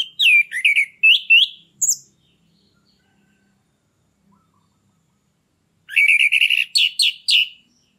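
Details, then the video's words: Caged orange-headed thrush in loud ngeplong song, used to spur breeding condition: a flurry of high slurred whistles, several seconds of quiet, then a dense chattering run of rapid notes. "PANCINGAN ANIS MERAH YANG MACET BIAR CEPAT NAIK BIRAHINYA🔥ANIS MERAH GACOR NGEPLONG"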